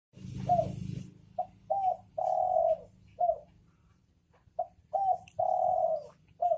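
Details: Male and female spotted doves cooing: two mellow phrases, each with a few short notes followed by a long, even, hollow coo. A low rumble sits under the opening second.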